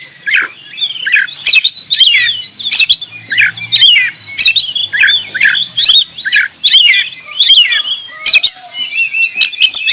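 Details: Oriental magpie-robin in lively song, a continuous stream of sharp, varied whistles and chattering slurred notes, with a faint low hum in the background.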